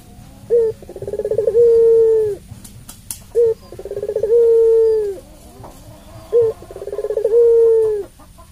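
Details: Long-call song of a puter pelung dove, used as a lure to excite other doves. Three cooing phrases, each a short hoot, then a throbbing pulsed run that settles into a drawn-out level moan about every two and a half seconds.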